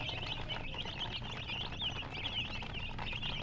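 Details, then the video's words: Several coloured chicks give thin, sliding peeps in a constant overlapping chatter, backed by a steady low rumble. "silly chicken chirping sounds with murgi hen color chicken"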